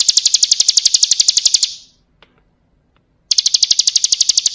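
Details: Bar-winged prinia singing for cage-bird song training: rapid rattling series of high, piercing notes repeated about ten times a second, broken by a silent pause of over a second before the rapid series resumes.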